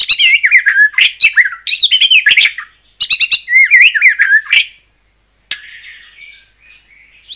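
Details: White-rumped shama song intended to stir other shamas into singing: rich rolling whistled phrases with swoops and chattering notes in two bursts, then a pause and a softer buzzy ending.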